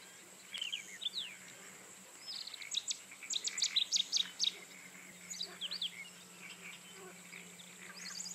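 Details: Rufous-tailed scrub robin (Cercotrichas galactotes) singing: a quick run of bright, high, sharply modulated notes in the middle, between scattered thin chirps and whistles from other birds, over a steady faint background hum.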